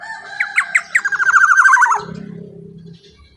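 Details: Black-naped oriole calling loudly as a lure for other orioles: spaced sharp notes quickening into a buzzy, rapidly pulsed run that ends abruptly, followed by a low humming background.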